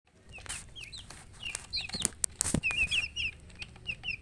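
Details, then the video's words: Chicks of the domestic chicken chirping: a busy run of high, thin peeps, many sliding downward, overlapping in quick irregular bursts, with scattered soft clicks and rustling beneath. "Baby "Chicks Chirping" Sound"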